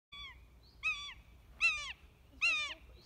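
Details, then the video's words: Common buzzard on hole 8 of a golf course in Amsterdam gives four short, nasal mewing notes, each arching then falling, spaced under a second apart over a quiet background. "Mauwende Buizerd"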